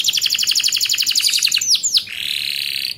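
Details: Canary master song meant for tutoring young canaries to sing early and often for contests: rapid, evenly pulsed high trill of about twenty notes, then two sharp descending whistled slurs and a buzzy sustained rattle.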